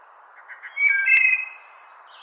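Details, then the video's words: A wood thrush sings one phrase: soft low notes, then clear fluted whistles, then a high, shimmering trill, with one sharp click and a faint steady hiss underneath. "Wood Thrush Song"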